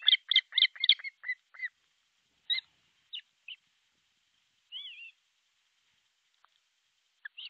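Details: Osprey nest in Pohjois Satakunta, Finland, July 6, 2023, at 12:31, nest camera: a quick burst of loud shrill whistles, then scattered single yelps and a slurred note amid long silences.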